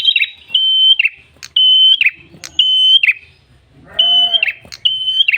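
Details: Red-headed tailorbird lure song: ringing whistles on one pitch, each ending in a falling twist, repeated in a steady rhythm, with a brief rough, nasal call partway through.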